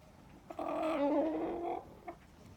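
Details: Domestic chicken calling out of loneliness when not let into the house: one drawn-out, wavering, tonal wail of a little over a second, with faint taps before and after against a quiet background.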